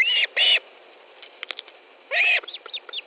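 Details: Osprey at an Estonian nest on 18 July 2013 at 10:30, fish being delivered: two sharp, high whistled chirps, a pause filled with faint clicks and rustles, then another shrill chirp followed by soft ticking sounds.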